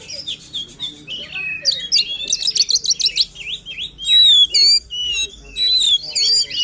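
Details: Energetic White-rumped shama song meant to prompt a lazy bird to sing: clear whistled notes giving way to dense chattering trills, then loud slurred whistles near the end.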